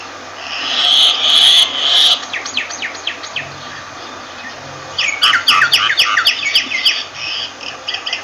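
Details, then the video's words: Myna producing a loud rasping buzz in short pulses, then a series of thin whistled sweeps, finishing with a lively stream of rapid, sharp chattering notes. "Myna Bird sound Voice"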